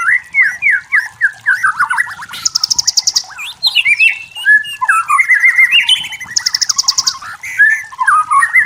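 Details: White-rumped shama in forest, singing a loud, varied song: rich whistled phrases around mid pitch mixed with fast, high buzzy rattles in two bursts, plus slurred rising and falling notes, continuous throughout.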